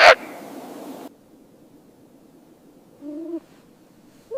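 A snowy owl gives a brief, low, slightly wavering chirp, and a second one begins as the recording ends. A loud rustling burst comes first.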